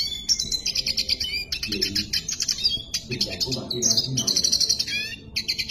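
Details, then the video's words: A red siskin sings at length: a fast, unbroken twittering song of high chirps and buzzy trills, with a faint low murmur in the background. "Pintassilgo da venezuela cantando muito"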